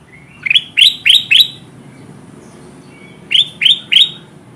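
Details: Golden bulbul (kutilang emas) calling loudly, a lure sound for drawing wild birds to trap glue: two bursts of sharp, rising chirps, four then three, each note sweeping up and ending in a bright whistle.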